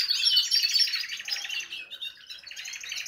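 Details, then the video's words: Canaries singing as a flock in a big aviary, post-moult rest period before pairing; a bright chorus of fast rolling trills and sharp whistled notes, slightly softer in the second half. "تغريد جماعي لطيور الكناري في سلاكة"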